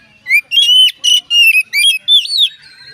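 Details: Oriental magpie-robin singing a song meant to get other magpie-robins singing; rich whistled phrases in rapid succession, about six loud notes, some rising, one ending in a looping slur.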